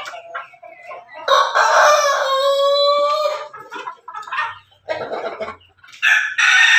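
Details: A backyard rooster, a cross of pelung, bangkok and ketawa breeds, gives a long, drawn-out crow of about two seconds with a strong harmonic tone that wavers and trails off, followed by shorter clucks and the start of a second crow.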